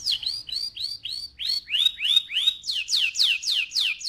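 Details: AF canary singing loudly in rolling style: series of high sweeping whistled notes, each falling in pitch, about three per second, shifting to lower swoops then higher sharp descending notes.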